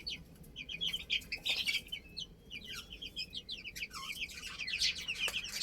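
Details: Little chicks playing, giving rapid high-pitched peeps. The peeps are short and sweep up and down, overlap steadily throughout, and are mixed with a few sharp clicks.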